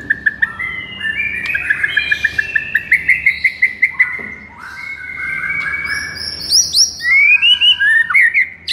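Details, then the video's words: White-rumped shama song in a masteran meant to make a sluggish bird furious. A long series of quick, evenly spaced chips rides on a steady whistle, then a pause and a fast run of high, rising, stuttered notes. "MASTERAN EFEKTIF untuk Pikat Murai LOYO seketika langsung NGAMUK"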